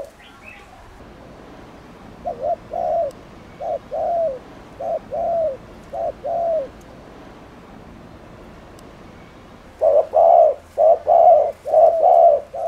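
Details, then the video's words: Spotted dove cooing to stir up rival doves: paired low coos, each a brief note followed by a longer one, start faintly and distant, then after a pause return much louder and closer. "CU GÁY GÙ KÍCH MỒI NÓNG MẶT"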